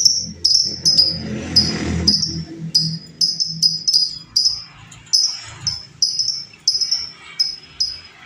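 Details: Wild female lovebird, recorded for use as a training or lure sound, giving sharp high chirps with short falling tails, repeated irregularly about twice a second, over a low rumbling background.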